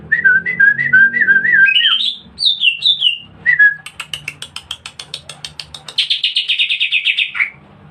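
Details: A greater green leafbird sings in a lively, aggressive fighting style: looping whistled phrases that climb in pitch, then a rapid run of sharp chirps and a long, fast, buzzy rattle ending in a downward sweep.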